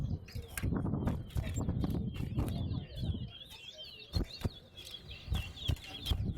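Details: Seed-finch (towa-towa) in a singing contest at Betterhope ground: loud crowd talk at first, then a sustained high twittering song in quick, slurred notes during the second half.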